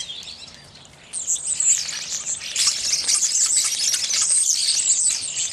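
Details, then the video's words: Evening grosbeaks: after a quiet second, a loud, continuous chorus of rapid high chirps and trilled squeaks bursts in and keeps going, many birds calling at once. "Evening Grosbeak"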